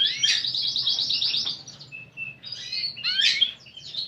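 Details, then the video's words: Singing canary in gacor style with a varied, unique 'cengkok' phrasing: a fast buzzy trill, then a short pure whistle, then rising and falling warbled notes, with a faint low hum underneath. "Burung Kenari Gacor Cengkok Unik"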